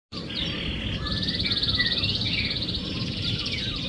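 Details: Canary song played to lure a silent canary into singing: warbled high phrases and a long rapid buzzy trill, over steady broadband background noise.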